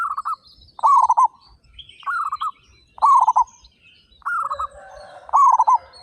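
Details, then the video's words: Among thirty-five local zebra doves singing vigorously with big voices, short rolling, vibrating coo phrases repeat about every second in alternating softer and louder versions, over faint scattered chirps from other birds. "PERKUTUT LOKAL GACOR SUARA BESAR"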